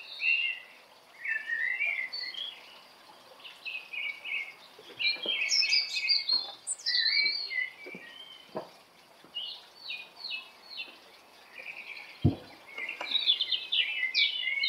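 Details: Morning bird chorus with overlapping high chirps, trills and warbles from several singers, interrupted by scattered clicks and a sharp knock near the end.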